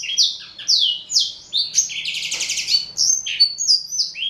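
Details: Four-year-old male black-throated canary, Somerini x Botswana cross fed on seeds and vegetables, sings a sweet fast song of high downslurred whistles with a brief buzzy trill in the middle, phrases running continuously.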